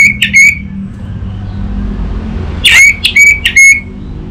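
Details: Orange-headed thrush, a captive bird from Singaraja, Indonesia, recorded as a song lure: short whistled phrases with hooked upward notes, a pause, then four quick sharp chirps.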